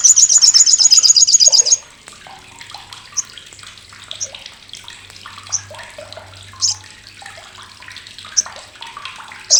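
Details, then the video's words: Olive-backed sunbird (sogok ontong, sriganti) giving its loud, harsh, sharp crecetan chatter, used as a tutor for contest songbirds: a rapid, very high buzzy burst of even notes lasting under two seconds, then faint chirps from other birds. "CRECETAN SOGOK ONTONG"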